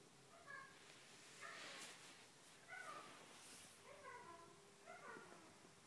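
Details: A female pet eclectus parrot talks to herself in the morning, chattering in five short, voice-like phrases about a second apart, with nasal, wavering tones much like murmured speech, over a faint background hiss.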